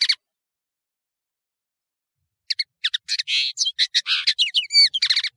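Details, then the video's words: Known in Morocco as camacho, the European serin gives a brief note, falls silent, then bursts into three seconds of fast, squeaky, crackling high-pitched song; recorded cleanly for song training. "تغريد طائر التفاحي"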